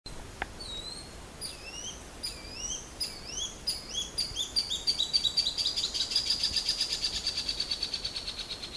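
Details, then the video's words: Crescent-chested puffbird song: thin high whistles, first slow and upslurred, then speeding into a fast, even series of short piping notes that run on steadily to the end. "CANTO DO PÁSSARO BARBUDO RAJADO"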